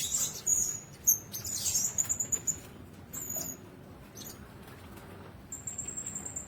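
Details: Blue-crowned hanging parrots housed together in one cage: sharp, very high chirps in a quick burst, then a lull, then a few thin sustained notes at the end.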